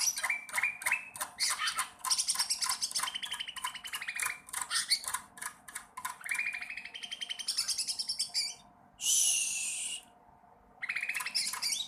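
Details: Sooty-headed bulbul practising song in a long run of rapid, stuttering notes with rising slurs, then a loud hissing burst and brief silence before the chatter resumes.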